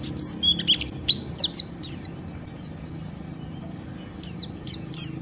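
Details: Ngeriwik song of a white-eye intended to stimulate other birds to sing; scattered high sweeping whistles and sharp chips in short bursts, separated by a quiet gap mid-phrase.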